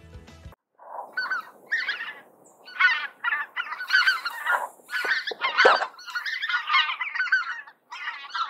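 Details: Several greater white-fronted geese (Anser albifrons) give their high-pitched cackle, yelping in quick overlapping bursts, with a distinct sharp break in the note from one cackle to the next.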